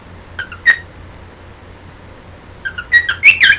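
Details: A pet bird sings to its owner's hand: a few short whistled chirps, then a quick jumbled burst of higher, twittering notes at the end, in a quiet room.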